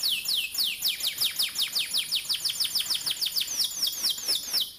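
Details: Canary song meant to train young canaries: a long run of rapid, evenly spaced downward-swept whistles, about five per second, high and bright throughout.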